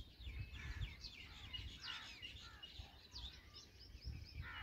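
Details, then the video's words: Black drongo chicks at a feeding make a dense chatter of overlapping squeaky, sweeping calls, continuous and excited, over soft low thuds. "Black Drongo Feeding Chicks"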